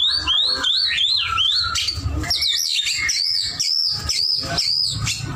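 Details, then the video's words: White-rumped shama in full song: a rapid series of looping, high whistled phrases rising and falling, over a constant low background hum. "murai batu gacor"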